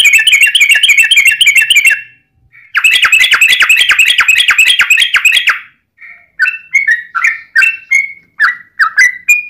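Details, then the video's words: Long rapid rolling trills, the "ropel panjang" style of an energetic yellow-vented bulbul, broken by a short pause, then separate slurred chirps. Used as a lure to make other bulbuls sing. "trucukan gacor TARUNG ROPEL PANJANG pancingan trucukan agar bunyi"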